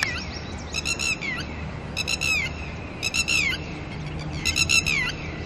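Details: Red-wattled lapwings, a pair guarding chicks at dawn, protest at an intruder with shrill, harmonic cries, each ending in a downward slur, delivered in short bursts roughly once a second.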